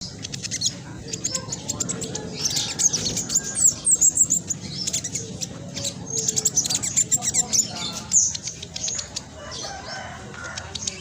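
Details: Spotted black sunbird, a caged bird in full song, used as a lure to get silent birds singing: dense, rapid, very high-pitched chattering twitters in fast, tight runs, with faint low background hum.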